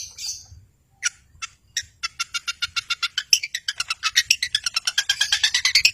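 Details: Long-tailed shrike in full, lively song, used to provoke silent birds into singing: a few scattered high chirps, then a fast run of sharp repeated notes that grows denser and louder toward the end.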